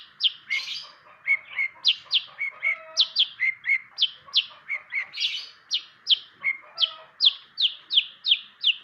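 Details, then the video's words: Long-tailed shrike (cendet) delivering a steady stream of bright, sharply upslurred chirps, roughly two or three each second, mixed with a few rasping notes, above a persistent background drone. "burung cendet pastol rawatan kawan belajar bunyi"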